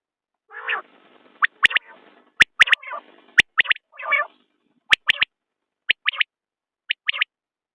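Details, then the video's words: Common quail calling in short, sharp three-note phrases, a lone note followed by a quick pair, repeated about once a second, with broader, harsher harmonic calls mixed between the phrases. "بٹیر کی آواز/ quail bird sound"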